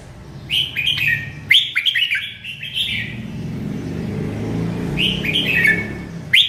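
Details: Merbah lekir bulbul singing sweetly: rapid runs of liquid, bubbling warbles, then a pause and a further short phrase, over a low rumble like passing traffic.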